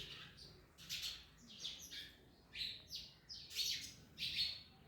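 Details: Parrots munching orange repeat harsh, buzzy chirp bursts about every half second to second, rough and high, with slight variation in loudness.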